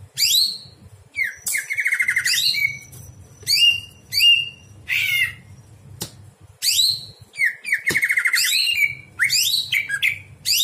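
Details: Greater green leafbird song at night used as a tutor for other birds: repeated bursts of sweeping high whistles and rapid trills with short pauses between phrases; soft low hum.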